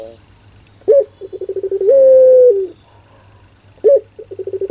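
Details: Barbary dove of the pelung style: a sharp rising note, a fast stuttering run of pulses, then a long steady coo that drops to a lower ending, with the next phrase starting.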